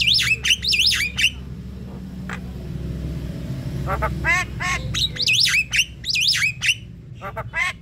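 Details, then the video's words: Javan myna calls played to attract birds: bright whistled notes that swoop up and down, harsh grating bursts in between, and a steady low hum behind. "Pancingan jalak kebo BAHAN dan OMBYOKAN"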